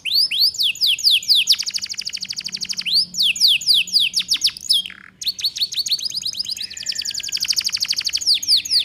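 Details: Canary singing to train young birds, rising whistled notes and long fast trains of steep down-sweeping notes, interrupted by brief buzzy notes and trills.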